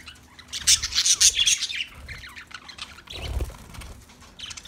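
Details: Budgerigars chirping and squawking in quick bursts, sharp high notes clustered in the first two seconds, then softer warbling, with a low thump near the middle.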